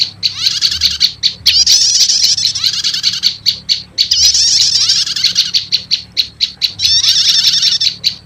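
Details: Prinia calling sound for luring, prenjak lumut combined with prenjak setater: high clipped chirps repeated quickly, broken by three long buzzy, jittery trills, over a faint background hum.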